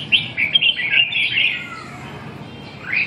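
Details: Red-whiskered bulbul, Vietnamese chào mào of the Binh Dinh line, delivering a quick run of warbling, slurred phrases, then a pause and a short rising note.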